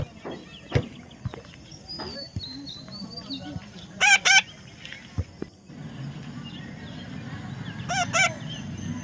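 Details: Natural calls of a baby parrot: two harsh squawks midway and two more near the end, amid scattered knocks, clicks and handling noises.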